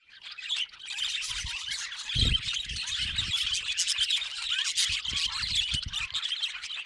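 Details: Budgerigars chattering continuously, a dense mix of warbled chirps, squeaks and scratchy notes from several birds, with a few low thumps.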